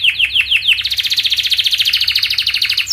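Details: Canary song aimed at getting young canaries to answer: several quick downward-slurred whistles, then an even, rapid pulsing trill of about ten notes per second.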